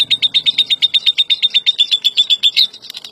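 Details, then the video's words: World champion contest lovebird: a rapid, even run of sharp chirping notes at a steady high pitch, about seven per second, ending in a brief burst of rougher chatter. "SUARA BURUNG LOVEBIRD JUARA DUNIA"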